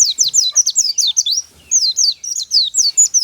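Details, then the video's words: White-eye song recorded naturally in the morning for use as a lure: an unbroken, rapid series of very high, thin notes, each a quick downward-slurred chirp, with one brief pause midway. "PANCINGAN SUARA KICAU BURUNG PLECI ALAMI SNI"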